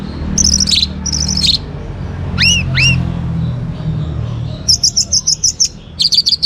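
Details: Young orange-headed thrush singing, used to prompt other birds to sing: paired high chirping phrases, then two rising-then-falling whistled slurs, then a fast run of evenly spaced sharp notes, over low background rumble.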